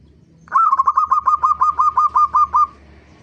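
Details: Zebra dove song used to lure other birds: a single run of about eleven rapid, bright rolling notes, around five per second, over a soft low hum.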